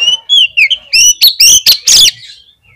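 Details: Oriental magpie-robin singing in full voice as a lure recording meant to prompt other magpie-robins to sing: loud, clear whistled phrases sliding up and down, then a tight cluster of ringing, sharply accented notes before the song fades.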